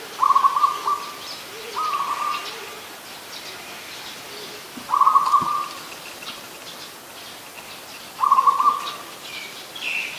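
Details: Adult zebra dove, Ubon Ratchathani, Thailand, 24 December 2020. Four stuttering, bubbly coo phrases repeat every two to three seconds, each a quick run of clipped notes. Faint bird chirps are heard behind them.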